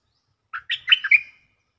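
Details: Single rolling phrase from a caged stripe-throated bulbul used as a lure: five mellow, bubbly notes in quick succession, the last slightly prolonged, with a faint low rumble beneath.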